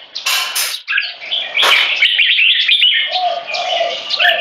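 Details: Dominance contest between two caged Red-whiskered Bulbuls, 3.5 and 7 years old, using butir singing and gaya display: harsh noisy bursts at the start, then flowing quick whistled phrases over a soft lower tone.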